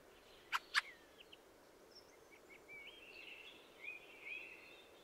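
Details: Fieldfare singing: two loud harsh chack notes open, followed by a thin, squeaky, chattering warble that rises and runs on through the second half against a hissy background.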